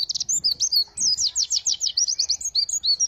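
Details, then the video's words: ['White-eye, known as pleci, in tembakan isian song: brief, busy bursts of high, sweet chirps and slurred twitters, tightly packed and irregular, with faint low rumble beneath.'] "Pleci Tembakan isian Mantap!!!"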